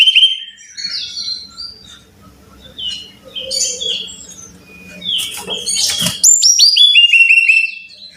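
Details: Song of a brown-chested jungle flycatcher, used as a lure so caged birds sing readily: soft varied twittering over a low hum, then a loud, crisp sequence of falling whistled notes repeated quickly at the end.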